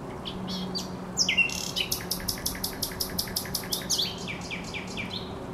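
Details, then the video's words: Spring song of a thrush nightingale at the Żerań Canal, 24 April 2022: sharp whistles lead into a long, steady rattle of loud repeated clicking notes, then descending chirps. "Śpiew słowika rdzawego na Kanale Żerańskim"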